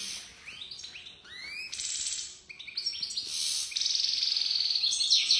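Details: European goldfinch described as a top-class 'pisador', singing rising liquid notes that run into a bright buzzy twitter, then a dense stream of fast chirps and trills, with faint low background hum.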